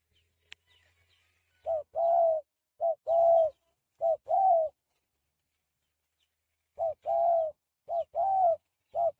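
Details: Spotted dove, free-range and practising its cooing. It gives two bursts of soft, low, hollow coos, short notes then a longer drawn note, with a quiet gap between the bursts and a faint click at the start.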